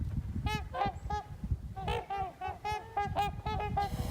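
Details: A flock of geese standing on thin new ice on Big Birch Lake, heard from the north in cold early-winter weather. They give nasal, overlapping honks, several each second, over a low rumble of wind.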